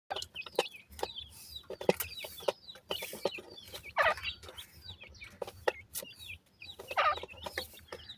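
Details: Grey francolin chicks while feeding, giving short upswept chirps, often several close together, with sharp clicking and tapping sounds between them.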